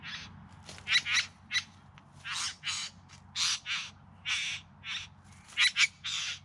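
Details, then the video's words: Courting bowerbird in the Yarra Valley near Melbourne, filmed September 2020, giving a rapid series of short rasping, churring bursts, some paired, some strong, some softer, roughly every half second, with faint low rumble beneath. "Bowerbirds Singing and Dancing"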